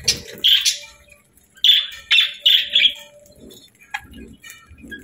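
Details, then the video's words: Happy budgies chirp in clear, buzzy high bursts, three or four close together near the middle, followed by quieter soft murmurs and a faint steady tone. "Budgie Sounds 🦜 | Happy Budgie Chirping & Singing"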